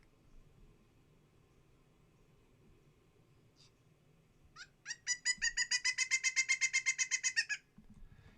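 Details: Pileated woodpecker (Dryocopus pileatus) calling: a loud, ringing, high-pitched series of about twenty quick notes, roughly eight a second, lasting under three seconds, preceded by near silence.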